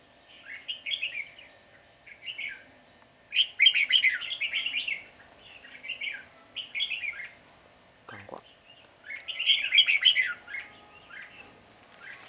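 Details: A flock-leading red-whiskered bulbul chatters aggressively at a caged decoy bird during trapping on 10 February 2020, giving repeated bursts of scratchy, buzzy chirps separated by short pauses, one brief low thump midway.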